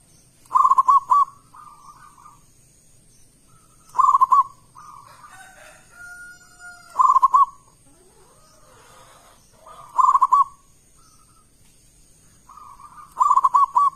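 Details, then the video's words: Local zebra dove in full, loud, big-voiced song, used as a lure to set other doves singing: five short cooing phrases of rapid rounded notes, each with sharp clicking bursts, repeated about every three seconds with quiet between. "Perkutut lokal gacor suara keras besar - pancingan burung perkutut"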